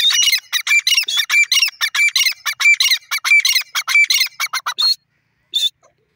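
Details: Francolin giving a long series of loud, harsh, rhythmic notes, each a grating squawk with a ringing tone, repeated about twice a second for five seconds, then one last isolated note.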